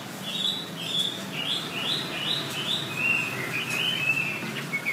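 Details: Wambi song used as tutor material for training songbirds: a series of short whistled, slurred notes, some rising and some falling, over steady background hiss and low rumble.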